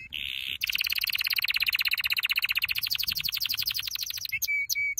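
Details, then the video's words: Canary performing a training song: a brief buzzy note, then a long fast rolling trill lasting about four seconds, closing with short separate whistled notes. "Your canary will NEVER STOP SINGING With this training song"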